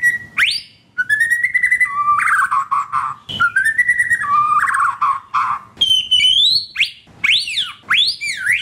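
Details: Song of a caged White-rumped shama, played to stimulate other caged birds to sing: rich whistled phrases with slurred rising notes, buzzy bursts and sharp upward sweeps, continuous and varied.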